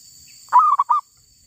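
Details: Wild female zebra dove, the bird caught while trapping, giving one brief coo of a drawn first note and two quick clipped notes, with a high steady background tone.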